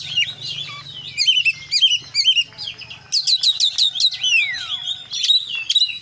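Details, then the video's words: Oriental magpie-robin in gacor song full of isian phrases: sweet whistled notes and quick chips in clusters, a long gliding downward whistle midway, a faint low hum underneath. "kacer gacor KONSLET full isian"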